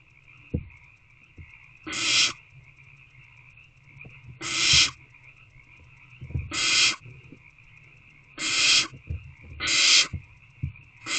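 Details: Owlets in an owl box on an evening in March, 6:28 pm, waiting for a food delivery: harsh, broad hissing screeches of about half a second, repeated roughly every two seconds, over a steady high whine and faint knocks.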